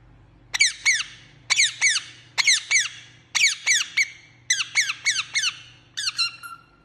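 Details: Parrot chirping indoors: bright, harmonic chirps with a sharp downward sweep, given in quick pairs and triplets about once a second, the last ending in a held note; faint low hum beneath.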